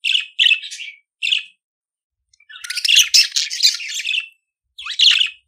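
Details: Budgerigar song for teaching a pet budgie to sing: quick harsh chirps, a pause, then a dense buzzy chattering warble of about two seconds, ending with one more chirp, in quiet surroundings.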